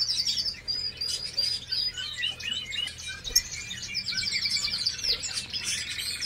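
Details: A hybrid goldfinch (canary × European goldfinch cross) sings a fast, continuous twittering of high, liquid trills and chirps, with a low steady hum underneath.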